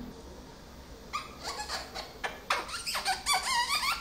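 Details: Pet parrot, recently talking more and picking up varied words, heard after its perch was changed: a string of squeaky, harmonic chattering notes with quick pitch bends, starting after a second of quiet and running densely to the end.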